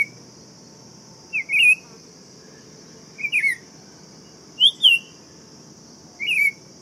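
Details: Buff-throated saltator voicing four brief whistled phrases, each a quick rising-and-falling warble, separated by gaps of over a second, with steady high insect noise.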